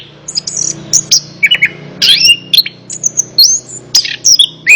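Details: Orange-headed thrush song aimed at getting a quiet bird to sing back: separate whistled phrases and twisting slurs, some raspy, with a faint low hum behind.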